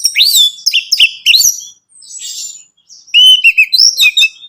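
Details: Orange-headed thrush song, used to encourage a captive bird to sing: rich rising-and-falling whistled phrases, a soft buzzy passage, then a loud string of rolling notes and sweeps.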